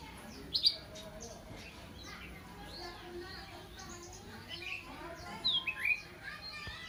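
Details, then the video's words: Caged sooty-headed bulbul, kept long beside an oriental magpie-robin, singing a mimicked magpie-robin repertoire: scattered whistled and slurred notes, some sharp high chirps, over a busy background with faint voices. "Burung kutilang isian kacer"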